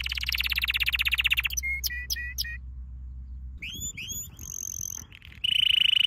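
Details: A canary's training song: a fast rolling trill, then a few short clipped metallic notes and a near-silent pause, followed by softer chirps and a loud, sustained buzzy trill at the end.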